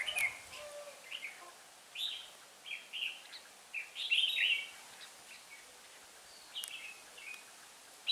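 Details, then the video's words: Decoy red-whiskered bulbul from Hòa Bình used in trapping, 18 December 2016, delivering 'ché' song: a string of brief, slurred warbles about every second, the strongest burst in the middle, with steady background noise. "Bẫy chào mào mồi Hòa Bình ché bay xác"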